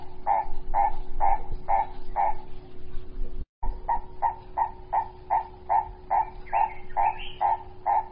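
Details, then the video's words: Purple-crested turaco in a garden, recorded February 2018, giving loud repeated croaking notes at a quick steady pace; a short break splits two runs, and later notes carry a higher rough edge, with a constant low hum beneath. "Purple Crested Touraco in my Garden Feb 2018"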